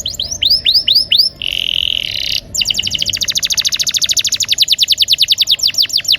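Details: Canary song played to stir quiet canaries into singing: a few looping whistles, a harsh buzzy stretch, then a long very fast roll of repeated sharp notes, dozens in under four seconds.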